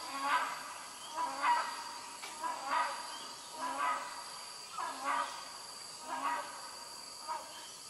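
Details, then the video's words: Hornbills give harsh honking calls about once a second over a steady high insect drone, at Sungai Papan campsite, Royal Belum State Park, Perak, Malaysia, late morning on 21 August 2020. "Hornbills calling"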